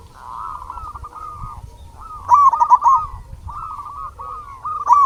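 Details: Local zebra doves coo in a recording used to lure and stimulate other doves to sing. Softer drawn-out coos lead into a loud rippling trill in the middle, followed by further rounded coo phrases.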